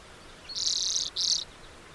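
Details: Lesser redpoll producing two harsh buzzing rasps in quick succession, the first about half a second long and the second shorter, high and dry.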